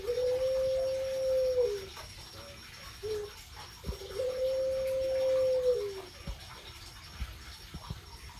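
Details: Dove calling at night: two long, steady, low cooing notes, each held about 1.7 seconds and dropping at the end, with a short soft note between them, over a constant background hiss.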